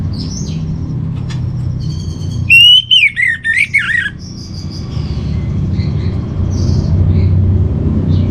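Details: Orange-headed thrush singing a master song used to train kept birds: one bright warbling phrase of swooping whistled notes lasting about a second and a half, then faint high chirps from other birds over a constant low hum.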